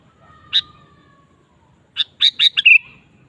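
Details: Lively sooty-headed bulbul song used to coax kept bulbuls to sing: one sharp note over a fading thin whistle, then a rapid chain of staccato notes closing in a bubbly descending whistle.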